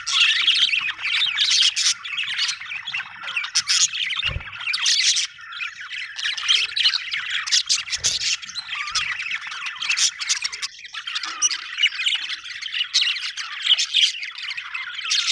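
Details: Long stretch of dense budgerigar chatter, raspy squawks, squeaks and warbled chirps crowding together nonstop, with a few low thumps among them.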